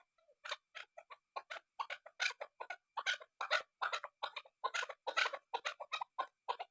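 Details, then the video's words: A female chukar partridge calls in a long, steady run of clipped, raspy clucks, several each second, starting softly and holding an even, insistent rhythm. "fighter birds sound voice keklik sesi chakor"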